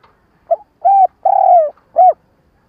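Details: Lure spotted dove calling in the stuttering style meant to quickly provoke wild doves. A brief opening note, then three mellow low coos, the long central coo sliding gently downward, in a quiet setting.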